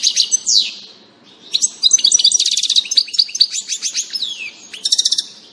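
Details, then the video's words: European goldfinch song recorded 16.06.2018, a bright jumble of rapid twittering notes, quick trills and descending slurred whistles delivered in animated phrases with one brief gap. "Distelfink Stieglitz Goldfinch"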